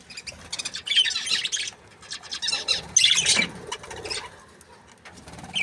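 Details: Budgerigars from a happy breeding pair chirping in two main bursts of rapid, harsh, high twittering, followed by quieter scattered chirps.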